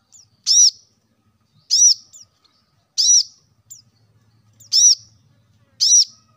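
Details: Plain-throated sunbird calling to spur caged birds into song: single arched, piercing high chirps spaced about a second or more apart, with a faint low hum underneath.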